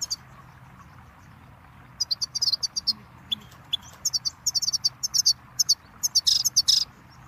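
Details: Goldfinch song used to teach chicks and songbirds: very high, thin, tinkling notes in rapid bursts, some buzzy trills, beginning after a quiet opening, with a faint hum below.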